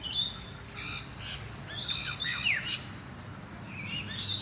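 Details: A bush stone-curlew family on 1 October 2022, father minding five-day-old chicks while foraging, gives harsh, high squawking bursts every second or so with a quick downward-sliding note midway, over a low background rumble.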